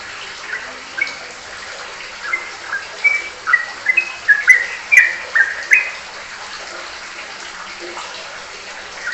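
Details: Sooty-headed bulbul in ropelan song: scattered soft whistles build to a dense middle burst of quick, bright, falling phrases, then fade.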